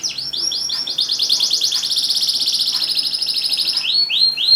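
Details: A canary singing vigorously as a lure for canaries that have stopped singing: a few swooping whistles, then a long unbroken rolling trill, closing with more rising swoops.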